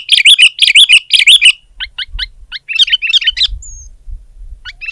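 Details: Sooty-headed bulbul in rival-pressing song: three quick rollicking bubbly phrases, then thinner chirps and a jumbled warble, ending in soft chips over light low noise.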